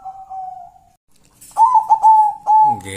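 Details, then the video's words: Local wild zebra dove song: a quick burst of clipped, bright cooing notes, a brief pause, then a long level coo. A faint sustained tone comes before it and male singing begins at the end. "suara perkutut"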